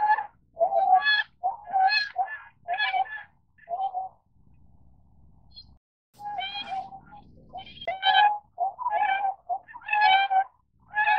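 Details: Tundra swan giving loud, nasal honking calls in quick bursts, rich in harmonics, with a quiet low rumbling gap near the middle before the honks resume, some overlapping.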